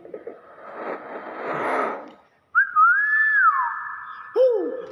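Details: A pet common hill myna gives a harsh, speech-like babble, mimicking Indonesian greetings like "assalamualaikum", then a loud clear whistle that rises and falls.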